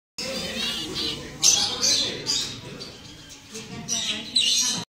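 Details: Six zebra finches at a show in Avilés give short nasal, buzzy calls in quick irregular bursts.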